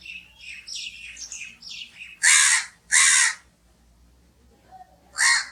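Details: Crow calling: three loud, harsh broadband caws around two and three seconds and again near five seconds, preceded by a run of softer, higher chirping notes from other birds.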